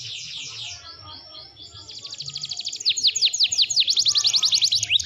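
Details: Canary in energetic full song for a bird-training recording: a soft, wavering high trill builds into loud, crisp, sweeping notes repeated steadily, nearly three per second, growing brighter toward the end.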